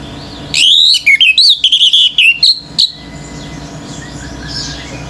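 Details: Male orange-headed thrush sings a fast, varied warble of clear whistles and sharp clicks lasting about two seconds, meant to provoke other birds, then falls silent with faint chirping in the background.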